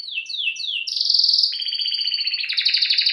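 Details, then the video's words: Canary singing: a run of downward-sweeping high whistles, then a long bright trill near the top of its range, breaking into a fast buzzy two-toned rattle. "Canary bird Singing"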